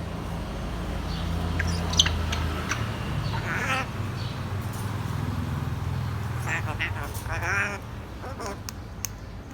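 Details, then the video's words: Bibi, a pet grey parrot, says "hello" in short, speech-like phrases and is answered by a person's voice over a steady low hum. "Grey Parrot say Hello"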